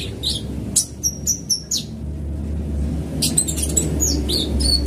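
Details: Van Hasselt's sunbird used as a fast lure sound: thin, high chirps and short whistled notes in a quick cluster, a pause, then a burst of sharp twittering over a steady low hum.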